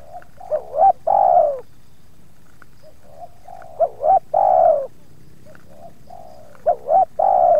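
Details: Spotted dove in a yard, approached by two wild doves, giving three cooing phrases, each a pair of short wavering coos followed by a long, drawn-out, falling coo, with quiet pauses between phrases.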